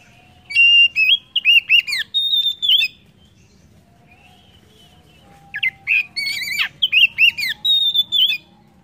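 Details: Oriental magpie-robin singing, used as a lure to prompt other birds to sing: bright whistled phrases with sliding, warbled notes, two bursts separated by a pause of about two and a half seconds.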